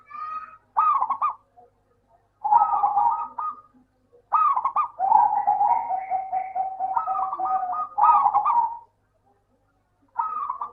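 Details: Local zebra dove song meant to lure quiet doves into singing: repeated phrases of soft rolling coos, some opening with quick flicked notes, one long even trill of staccato beats in the middle.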